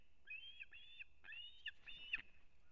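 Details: Osprey (Pandion haliaetus) at a nest in an old bent pine in Kurzeme, Latvia, 3 September 2024, when the male brings a whole fish for the chick; four quick bursts of high, thin whistled chirps over a faint hiss.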